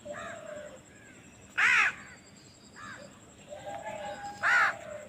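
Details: Baby crow calling for food while being fed: two loud, grating caws about three seconds apart, with softer, thinner calls between them.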